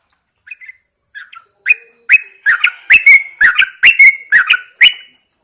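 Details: Yellow-vented Bulbul kept in a cage and hung out early in the morning so it sings. Soft scattered chirps build into a steady stream of loud, gurgling whistled notes, roughly two per second.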